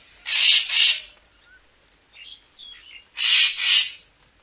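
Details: Racket-tailed treepie calls used as a lure for bird photography: two loud paired harsh broadband bursts, each double-pulsed, separated by a quieter stretch of faint chattering notes.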